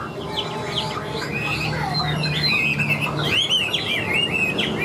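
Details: Wild-caught Chinese hwamei, a wing-flicking bird with a fig-leaf-shaped tail, in loud, strained full song: a dense run of varied, rapid whistled slurs and trills that rise and fall, growing stronger after the third second over steady low background hum.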